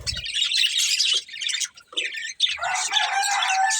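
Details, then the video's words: Two budgies, a breeding pair, eating and chirping: loud, rapid high twitters, a short gap, then a harsher buzzy warble with a clear lower tone running through it. "Beautiful Budgies Chirping Sounds"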